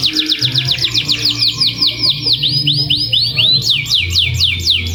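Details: Canary song used as a lure to stir other canaries into long-roll singing: fast repeated downslurred chirps, about four per second, forming rolling trills that shift to a new, higher phrase near the end, over a low steady hum.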